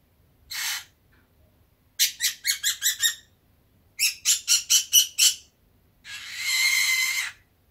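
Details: Fischer's lovebird kept as a pet, sleepy in balmy weather, chatters in fast runs of five or six sharp clicking chirps, with a single note before them and a long grating buzz at the end.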